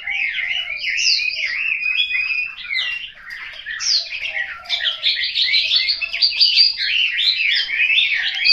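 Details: Home-kept Chinese hwamei in Hanoi singing clear, sweeping whistled phrases that rise and fall, starting spaced and becoming a dense, rapid warbling chatter in the second half.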